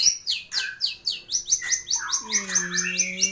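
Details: Long-tailed shrike (cendet or pentet) in full master song rich in fill-in phrases: a fast series of descending high chirps, about three per second, then a lower, steady, nasal harmonic tone held under continued chatter.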